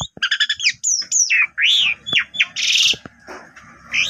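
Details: Asian pied starling in lively song, used to prompt other birds of its kind to sing and carrying canary phrases; squawky, rising and falling notes in a dense jumble over faint low background noise.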